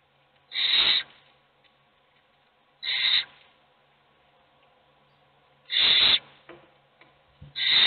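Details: Begging owl nestlings in a nest box, hungry while a single chick gets fed: short, harsh hissing rasps spaced two to three seconds apart over a quiet background.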